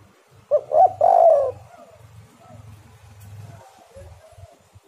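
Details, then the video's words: Spotted dove cooing, recorded as a lure to prompt other doves to sing: one phrase of a short note, a doubled note and a long throaty coo, then quiet with faint low pulsing in the background. "tekukur super gacor suara pancingan"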